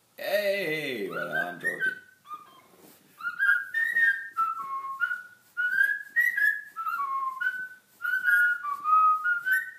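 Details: A pet cockatiel whistles the Addams Family tune along with a person, in clear, pure notes that rise and fall in short repeated phrases.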